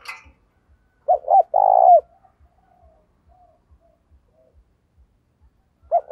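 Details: Captive spotted dove decoy bird calling to lure wild doves: a phrase of two short hooting notes and a long, steady, purring coo around one second, then the start of another phrase. Faint low regular ticking throughout.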